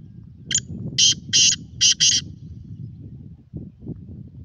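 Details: Black francolin giving one harsh, rasping phrase of five clipped, high notes in quick succession, followed by quiet rustling and low background noise.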